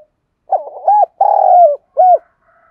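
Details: Spotted dove cooing to call and attract other doves: a stuttered, broken opening coo, then a long, steady, gently falling coo and a final short coo, all low and mellow in a quiet setting.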